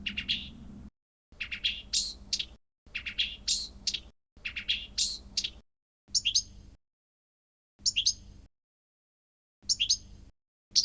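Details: Blyth's reed warbler, a mimic, gives short bursts of high, chirpy notes, possibly imitating other birds, each under a second long, repeating every one to two seconds with abrupt silences between.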